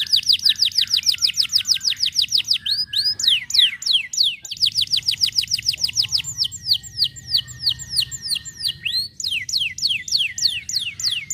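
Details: Song of white canaries used to encourage lazy canaries into singing, a run of rapid high descending trills broken by brief pauses and switches to slower sweeping notes, with a steady faint tone in places.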